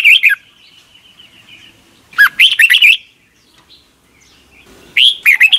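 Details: Thai Red-whiskered bulbul song for teaching young caged birds each morning; three clear phrases of quick, bubbly whistled notes, separated by gaps of around two seconds with a thin steady tone between.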